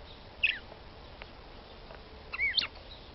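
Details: Female red-cowled cardinal (Paroaria dominicana) calling to excite the male: two short bursts of high, sharply slurred chirps a couple of seconds apart over a steady hiss.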